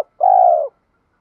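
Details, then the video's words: Spotted dove cooing in 'giọng thổ' style to train decoy and newly caught birds. A single smooth, sustained coo lasts half a second, level then gently falling, and is preceded by a brief click. "Tiếng chim cu gáy giọng thổ pha thúc đấu vấy bổi"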